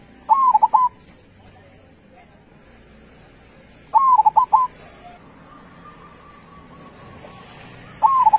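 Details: A local perkutut, or zebra dove, sings with a loud, big voice: bursts of crisp cooing notes, an upslur and a stutter, then a sustained coo. Phrases come about every four seconds, with soft bird chatter behind.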